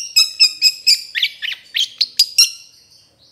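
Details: Long-tailed shrike (cendet) singing for a training recording for other birds: a string of sharp, high, buzzy chirps, about four per second, then a brief rising note at the close.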